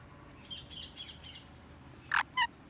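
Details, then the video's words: Parrot calling loudly: a few faint, bright chirps early on, then two sharp, piercing chirps in quick succession near the end, over a steady background hiss. "Parrot Loud Chirping Sounds"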